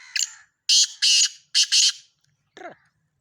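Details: Black francolin recorded in Sindh, Pakistan, giving a loud, rasping series of four broad, scratchy notes after a short harsh lead-in note, then a brief falling fainter note.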